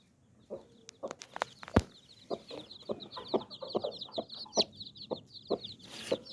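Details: Hen with nine baby chicks: short clucks repeated roughly every half second while the chicks peep in a high, rapid, chattering stream; a few sharp knocks early on.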